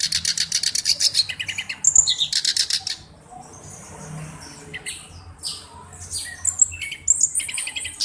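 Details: Black-browed reed warbler, kept as a tutor bird, gives bursts of loud rasping chatter. A quieter stretch of soft scratchy notes follows, then high buzzy trills resume near the end.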